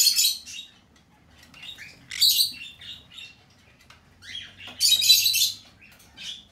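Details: A hand-tame red-cheek pineapple green-cheeked conure chick, recorded 25 April 2020, gives harsh, raspy, high screeches in bursts every two to three seconds, with softer scratchy chatter between and a faint low hum.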